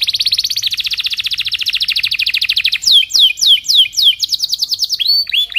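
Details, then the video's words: Belgian canary morning song for training young canaries: nearly three seconds of rapid, even rolled trill, then slower, looping, downward-sweeping whistles and a few high curved chirps. "Kenari gacor Cuit cuit NGEROL di pagi hari, Ampuh untuk Pancingan kenari paud belajar Bunyi"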